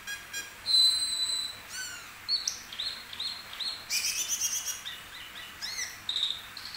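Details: Glossy blackish-green, red-eyed Asian glossy starling singing a rich imitated song: sustained high whistles, arched downslurred notes, a buzzy chattering burst and further scattered chirps.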